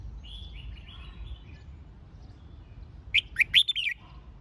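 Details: Red-whiskered bulbul, recorded to train birds for singing contests, gives one brisk phrase of four or five looping whistles near the end, after faint distant bird chatter.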